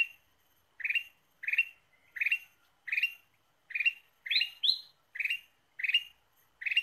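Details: Ruby-throated bulbul lure song: about ten clipped, chirpy phrases at steady spacing. Midway, two higher whistled notes break the pattern before the regular bursts resume.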